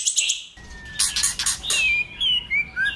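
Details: White-rumped shama singing many varied phrases, played to provoke and train other shamas to sing: buzzy, rasping bursts give way to clear rising and falling whistles, with short gaps between phrases and faint low background rumble.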